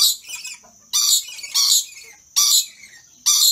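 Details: Two rainbow lorikeets, excited and dancing, utter loud grating screeches. One softer raspy call is followed by four sharp harsh bursts, each under half a second, spaced unevenly. A faint steady high tone continues underneath.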